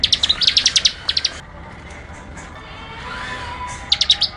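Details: ["Prinia in 'ngebren' style: a quick volley of sharp, high, buzzy notes, a short follow-up flurry, then a pause before another rapid rattle begins near the end."]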